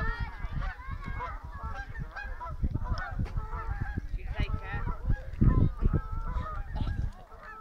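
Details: Flying skein of geese: a steady stream of overlapping honks from many birds, partly masked by heavy low wind rumble and buffeting throughout.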